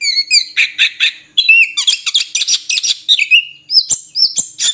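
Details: Oriental magpie-robin song: fast run of sharp, harmonic-rich chirps and slurred whistles, dense buzzy note clusters in the middle, ending with bright upswept whistles and clicks.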